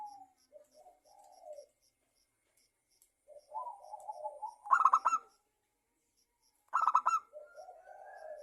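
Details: Local zebra dove song played to coax other doves into singing: quiet low warbling coos, then two loud clipped bursts of rapid notes a couple of seconds apart, each trailed by softer cooing.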